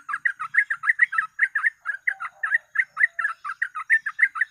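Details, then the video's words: Yellow-vented bulbul pouring out a continuous volley of rich, warbled notes, roughly four to five per second, loud and unbroken, played as a lure to attract birds for trapping. "BURUNG TRUCUK FULL GACOR ROPEL"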